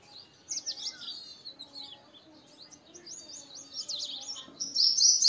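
Purple sunbird singing a rapid, high-pitched run of thin twittering and buzzy notes, growing louder toward the end, over faint background noise.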